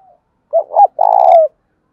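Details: Tame lure spotted dove gives one clean, loud cooing phrase to provoke others: two short swelling notes followed by a sustained, slightly falling long coo.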